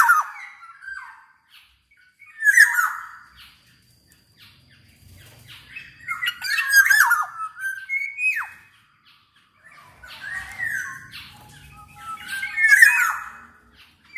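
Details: Black-naped oriole song for prompting reluctant orioles to sing: repeated phrases of fluty, slurred whistles mixed with harsh, nasal squawks, each burst lasting about two seconds, separated by short pauses, with a faint low hum.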